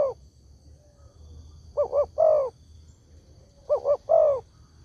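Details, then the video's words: Spotted dove lure call intended to make other doves respond: a tail of one phrase, then two full phrases of two brief low coos and a drawn-out coo, about two seconds apart, over a soft low hum. "SEMUA BURUNG TEKUKUR PASTI NYAUT DENGAN SUARA INI"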